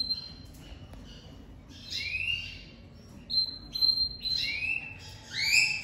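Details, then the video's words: Domestic canary, crested pied 'lavandeira de topete', singing strongly while coming out of moult: steady high whistles alternating with rising swept phrases and fast rolls, growing louder toward the end. "Canário doméstico lavandeira de topete saindo de muda e cantando muito forte"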